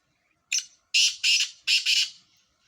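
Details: Four Sindhi black francolins compete in a calling contest: one short rasping note, then four loud, harsh, grating bursts in two close pairs, with a quiet room behind.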